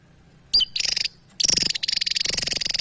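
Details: Javan tesia singing: a sharp high downslurred note, then a short buzzy burst, and a longer run of rapid, ticking, high-pitched pulses.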